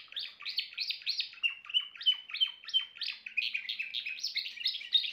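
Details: Timbrado canary singing a series of rolling trilled phrases, each a quick burst of notes, with a few steady whistled tones near the middle, repeated at a lively, fairly even pace.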